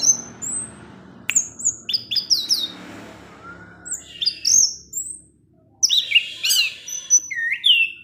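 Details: Orange-headed thrush, a kept songbird, delivers 'ngecip ngecis teler' song: thin high whistles and rapid sweeping chirps in clustered phrases, one near-silent gap midway, faint hum underneath.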